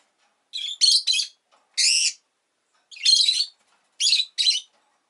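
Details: Rosy-faced lovebird uttering scratchy, squawky high chirps, often in pairs, at irregular intervals of roughly one second, with brief silent gaps.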